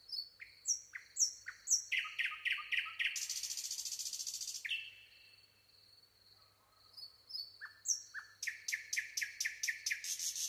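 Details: Nightingale singing varied phrases: pure high whistles, fast repeated rattling notes, and a loud dense buzzy trill lasting over a second, followed by a pause, then a long low steady whistle and renewed rapid repeated notes.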